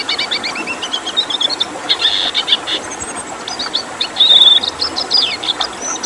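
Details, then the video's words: Red siskin, a rare protected bird, giving a rapid 'tembakan' style twittering song of high chirps, trills and thin whistled notes, used as a training recording for cage birds; steady background hiss throughout. "Masteran Tembakan Siskin Merah"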